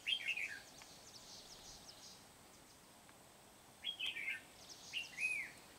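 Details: Red-whiskered bulbul trapping session with a decoy bird in Vietnam, Kim Bôi wild bird: brief chirpy warbled phrases with descending slurs, separated by pauses of about three seconds, faint distant bird chatter and hiss behind.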